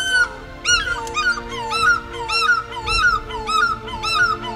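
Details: Two African fish eagles on safari calling, ringing, downslurred yelps about two a second, over steady background music.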